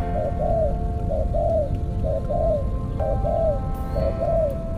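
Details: Spotted dove serving as a trapping decoy, with paired soft coos: a short note followed by a longer falling croon, repeated about every second over low hum and faint music.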